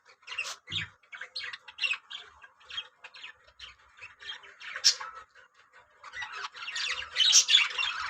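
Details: A colony of yellow budgerigars kept for breeding chatters nonstop: rapid, scratchy squawks and chirps from several overlapping birds, growing louder and denser toward the end.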